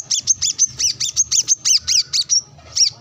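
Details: A brown-throated sunbird calls a rival during sunbathing among wild birds. Rapid series of bright, high, clipped chirps runs almost nonstop, with a short gap before a final pair.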